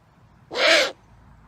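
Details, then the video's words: Great horned owl giving one harsh, rasping screech, about half a second long and hissy rather than hooted, over a quiet background. "Great horned owl making sounds"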